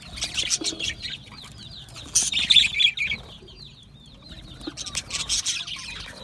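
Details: Budgerigars in an aviary: dense bursts of high, scratchy chirps and warbles come in waves, with louder flurries near the middle and end and quieter stretches of soft twittering between them.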